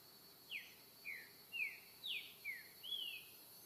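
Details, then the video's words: Green-winged saltator singing free in the wild, repetidor song style: six bright whistled notes, each sliding steeply downward, spaced roughly half a second apart, the last one longer and drawn out, over steady hiss. "trinca repetidor souto na natureza"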